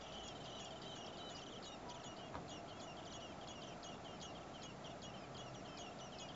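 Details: Four common blackbird nestlings in a nearby nest, in heat above 30 °C, as parents bring food: thin high chirps and squeaks pour out in a steady, overlapping stream over a constant background hiss.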